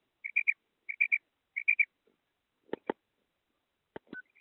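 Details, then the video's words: Female quail calling, three quick bursts of three high, clipped notes spaced roughly two-thirds of a second apart, followed by a few sharp knocks. "made batair ki kirk female quail sound madi batair ki awaz"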